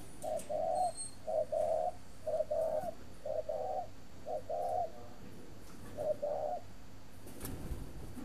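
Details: Breeding spotted dove, caged, Ba Vì district near Hanoi, Vietnam: a loud series of paired coos, short then long, about one per second, ending with a pause and a dull knock.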